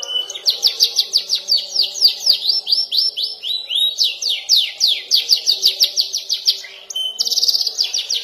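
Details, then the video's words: Canary youngster practising long rolls and sharp trills: steady rapid chains of high downward-sweeping notes, roughly two per second, phrases shifting pitch, ending with a fast buzzy high trill. "KENARI paud belajar ngeroll dan nembak"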